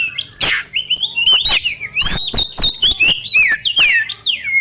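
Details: Song of a white-rumped shama used to excite young forest birds: a continuous string of liquid whistles bending up and down, broken by loud clicks.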